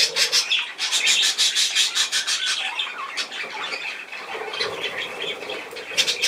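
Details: Budgerigars chattering continuously: fast, scratchy squawks and warbled chirps tumbling over one another, bright and high, with a few louder bursts near the start and end.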